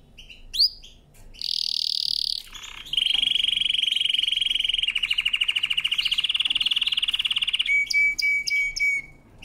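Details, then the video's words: Canary powerful training song: quick upsweeps, then a high rolling tour, a long lower rapid trill shifting slightly upward, and a final series of short whistled notes. "CANARY SINGING POWERFUL SONG | CANARY SINGING FOR TRAINING"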